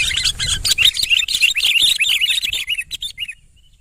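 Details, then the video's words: Male sooty-headed bulbul singing actively: a fast, tumbling run of looping warbled notes that slows toward the end and ends in a few separate clear phrases. "BURUNG KUTILANG TERBAIK SANGAT GACOR"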